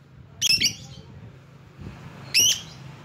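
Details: Lovebird giving a rival-provoking call: two harsh, ringing shrieks about two seconds apart, each a quick doubled burst, with a low steady hum in the background.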